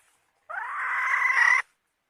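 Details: A single drawn-out, raspy hen squawk, rising a little in pitch and gaining strength before stopping sharply, heard alone against silence.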